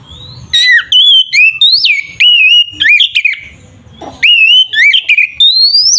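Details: Oriental magpie-robin singing energetically, a recording meant to goad rival magpie-robins into fighting: rapid varied whistled phrases with steep rising and falling slurs, broken by a brief pause, then renewed bright bursts.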